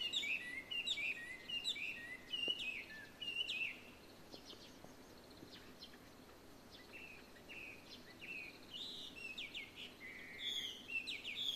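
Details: Probably a Chinese hwamei, a mimic heard singing 12 February 2023 in Ito, a rich, varied string of loud whistled phrases that jump between notes, with quieter chirps and light background noise between bursts.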